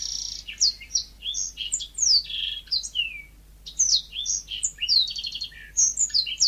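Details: ['Lively, continuous yellow-fronted canary song of varied high chirps, sweeping whistles and rapid rattling trills, with brief pauses between phrases and no other sounds.']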